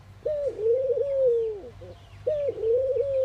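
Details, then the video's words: Morning cooing of a ring-necked dove in India: one long, mellow coo sliding down at its close, then a second phrase starting, with light chirping from other birds in the distance. "Ringneckdoves calling sound !! Indian Birds Dove morning activity Doves cooing"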